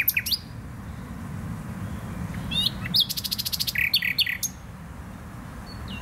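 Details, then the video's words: Nightingale song recorded in Poznań's Botanical Garden, Poland: a few upswept notes, then a fast rattling burst of repeated notes followed by richer warbled phrases, with quiet gaps between. "Wyjątkowy śpiew słowika."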